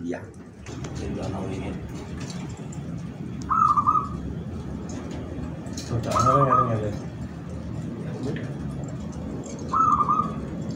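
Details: Local zebra dove from Jogjakarta, prized by collectors, singing three short coo phrases spaced about three seconds apart, each a quick run of soft level notes, over steady room hum with faint clicks.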